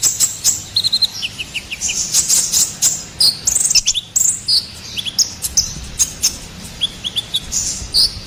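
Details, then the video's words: Ruby-cheeked sunbird in strong song for training and luring songbirds: high twitters mixed with short repeated whistled notes in little series of three or four, fast and continuous throughout. "SUARA GACORAN KONIN KOLIBRI NINJA"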